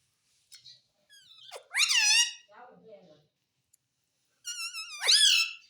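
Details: Mummy and papa are among the words this talking parrot says; two strong, rasping voiced phrases stand out, with quieter muttering notes between them.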